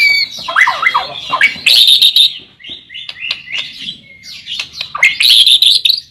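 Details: White-rumped shama song played as a lure to get other shamas singing: fast, varied phrases of bright whistles and sharp chirps, with rising and falling slurs and brief high trills between pauses.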